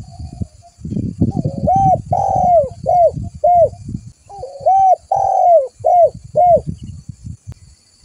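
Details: Spotted dove calling to lure other doves: two phrases, each a short coo, a long downslurred coo and two or three quick clipped coos, over low rumbling background noise.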